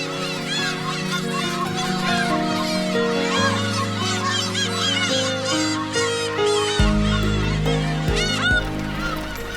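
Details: Black-tailed gulls at night in late spring at Hongdo, Korea's largest breeding colony (over 20,000 birds nesting densely on the island), giving a dense, overlapping chorus of mewing, cat-like cries, several each second, over background music.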